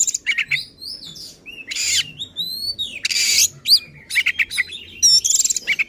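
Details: Oriental magpie-robin pouring out agitated song meant to stir up other magpie-robins: a busy mix of sweeping whistles, rasping buzzes and sharp chirps, delivered almost without pause.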